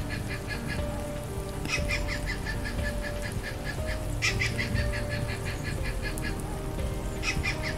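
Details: Stork-billed kingfisher (Pelargopsis capensis), described as very large, uttering three loud runs of quick, repeated raspy notes, each run starting strongly and tailing off, against a continuous low-pitched hum.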